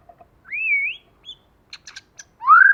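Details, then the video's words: White-rumped shama in forest-voice song as a lure, male and female present: a smooth wavering whistle, a few clicking ticks, then a loud rising slurred whistle. "Choè lửa hót giọng rừng."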